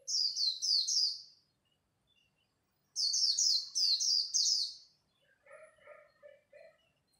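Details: Japanese white-eyes competing at dawn, one giving bursts of rapid, high, warbled twittering notes in two runs, followed by lower, softer chirped notes from another bird near the end.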